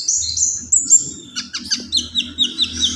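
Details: Common iora singing: long, thin, high whistles open the phrase, followed by quick downward-slurred notes repeated roughly every quarter second, over a faint low hum.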